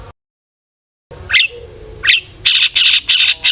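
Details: Long-tailed shrike singing a full song with fill phrases, used as a lure to make other shrikes sing: a brief gap, then two rising chirps and a run of four harsh, buzzy bursts, with a steady low whistle behind.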